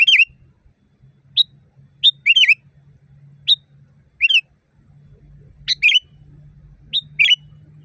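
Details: Loud natural song of a sooty-headed bulbul, used as a tutoring recording for caged birds: rapid series of bright whistled notes and doubled slurred phrases over a constant low mechanical hum.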